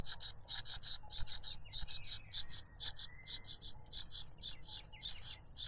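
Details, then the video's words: Insistent begging of a cuckoo chick snatching food from its foster father, who stuffs a butterfly into its mouth; shrill high hissing notes in fast paired and tripled bursts throughout. "The cuckoo bird is too noisy when trying to grab food杜鹃鸟抢食太吵闹了"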